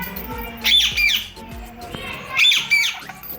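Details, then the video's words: A pet ring-necked parakeet (Mithu) talking in Urdu/Hindi, mimicking family names, gives two bursts of high, raspy, speech-like syllables, each a pair of quick squawks, with faint household background. "My Ringneck Parrot Taking My And My Brother Name | Pakistani Parrot Talking In Urdu/Hindi"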